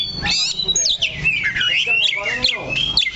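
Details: Kacer, the Oriental magpie-robin, perched steadily in one place, delivering fast looping whistles and sliding notes in a continuous high stream, with low voices faintly in the background.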